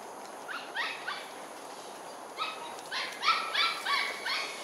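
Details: Two Grey-headed Fish Eagles at Ulu Pandan Park Connector, Singapore, on 30 June 2021 at 6.55pm: clusters of harmonic yelping notes in short bursts, growing louder and quicker toward the end, over a constant background hiss.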